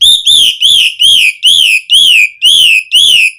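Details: Asian pied starling whistling to encourage captive starlings to sing: eight loud, arched whistles in a steady series of roughly two per second, each rising then dropping.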